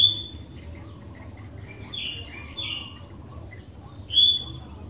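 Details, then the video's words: Lure recording of a sooty-headed bulbul singing to prompt other bulbuls: a handful of clear whistled notes, some slurred and warbling, spread over a few seconds, with a low constant hum beneath. "Kicauan Kutilang Gacor DOOR, Jagonya Buat PANCINGAN"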